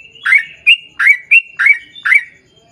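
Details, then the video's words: Sooty-headed bulbul in full, vigorous ropel panjang song, played to draw other bulbuls into singing. Six loud, bubbly, slurred notes in quick succession, with a thin whistle linking them. "KICAU SUARA trucukan gacor ROPEL PANJANG"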